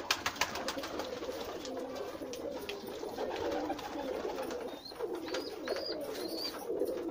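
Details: A large group of pigeons cooing together in a steady rolling drone of overlapping low notes, with several short rising high squeaks near the end and a few sharp knocks at the start.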